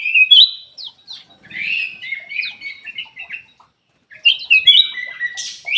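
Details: Song of a Ruby-throated bulbul housed in an aviary, used to stimulate reluctant birds. Sweet whistled notes slide downward into chattering warbles, pause briefly, then resume with a bright rising-and-falling run.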